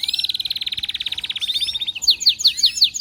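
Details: Canary singing excitedly, a steady rapid trill of bright repeated notes for about two seconds, followed by loud, sharply descending whistled strokes delivered about four per second.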